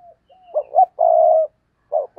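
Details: Cooing from a decoy spotted dove used to attract wild birds: faint soft lead-in notes, a short rising pair, one long steady coo, then a fresh phrase beginning at the end.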